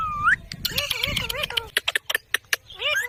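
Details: Pet ringneck parrot, kept as a talking bird and shown dancing, gives a rising whistled note, then a run of wavering, harmonic-rich warbled syllables and sharp clicking notes, ending in more bending squeaky tones; faint low background rumble.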